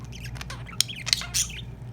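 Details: Male budgerigar feeding his partner; sharp squawks and broadband chirps in quick bursts over a steady low hum.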